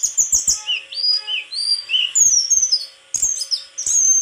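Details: Song of a white-throated flycatcher, a lively run of high whistled slides and chirps, several notes dipping and rising, others sweeping down in thin clear whistles, with a few soft clicks early on.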